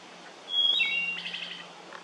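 Wood thrush singing: a pure, flute-like whistle that steps down in pitch, then a quick, buzzy trilled flourish. A faint low hum sits underneath.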